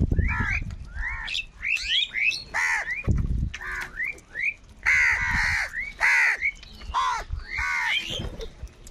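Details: Several crows quarrel over food with a dense stream of harsh, grating caws. The calls come quickly, overlap and rise and fall in loudness across nine seconds.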